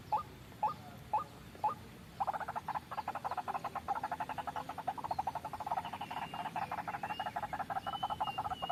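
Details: White-breasted waterhen trapping lure: four spaced rising notes, then a sudden fast, harsh chattering run of pulsed notes that keeps going with rising and falling intensity.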